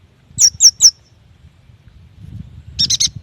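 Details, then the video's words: Yuhina song played to prompt young or silent birds: three thin, very high downslurred whistles in quick succession, a pause with soft low rumbling, then a short burst of three chattering chips. "AMPUH untuk memancing bunyi burung yuhina bakalan, muda dan malas bunyi"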